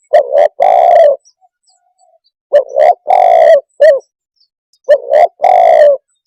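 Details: Spotted dove repeating its call about every two and a half seconds: two quick rising notes followed by a longer rolling croon, sometimes with an extra short coo added; loud, close and otherwise quiet.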